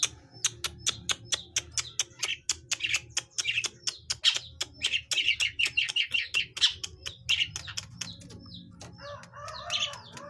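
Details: Young long-tailed shrike practising its song: a dense chatter of harsh, buzzy phrases over a regular train of sharp clicks, ending in softer warbled notes, with a low background hum.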